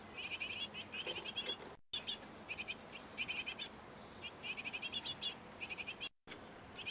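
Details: Great tit pair busy feeding nestlings in a nest box: a run of rapid, high, thin chirps in clustered bursts, each burst roughly half a second to a second long, separated by brief gaps.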